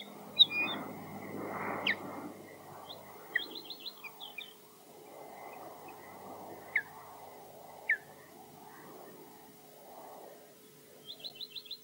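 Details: An osprey at Loch Garten, Scotland, defending its nest against flyovers with a slight dive-bomb, gives high, sharp whistled chirps, some in quick runs of four or five notes, others single and piercing, over a steady rush of wind.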